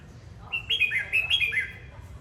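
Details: Red-whiskered bulbul singing and dancing: a single rich phrase of cascading whistled notes, each bending upward then dropping, delivered clearly over a soft low hum.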